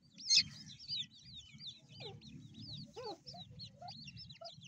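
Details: Young grey francolins calling in quick, overlapping series of high, looping chirps, several voices at once. A louder squeak comes near the start, and a low background hum runs throughout.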